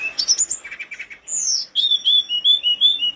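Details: Mountain flowerpecker, tledekan gunung, in full lively song for a bird-training recording: quick high twitters, a long descending whistle, then a wavering series of clear piping notes repeated rapidly.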